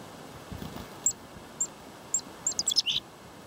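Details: Chickadees in a feeding frenzy, swarming and perching on a person's shoulders and arms: thin, very high single chips spaced about half a second apart, then a quick cluster of several notes, over a steady low hum.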